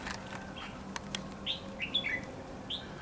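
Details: At a trap hidden in bushes in Lương Sơn, Hòa Bình, a red-whiskered bulbul decoy gives a few quick whistled, slurred notes meant to lure wild birds, with sharp clicks and a low background hum.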